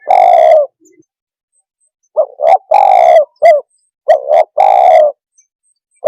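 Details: Spotted dove, or tekukur, cooing to make other birds agitated: a long husky coo, then a pattern of two quick notes, a long rolling coo and a short clipped note, repeated in close succession.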